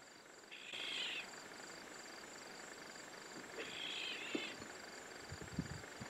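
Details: Black-headed oriole in the Manyeleti, Kruger region savannah, alarm calling at a large vulture perched on a dead tree: two harsh, screeching alarm notes about three seconds apart, over a steady high insect-like hum and faint rustling.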